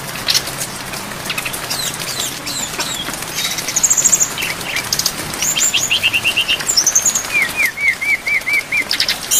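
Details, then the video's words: Songbird training recording of a brown-chested jungle flycatcher rich in filler phrases, rain in the background: scattered high notes, then buzzy trills and a closing run of six evenly repeated rising-falling whistles. "MASTERAN SRDC FULL ISIAN DAN AIR HUJAN DURASI PANJANG"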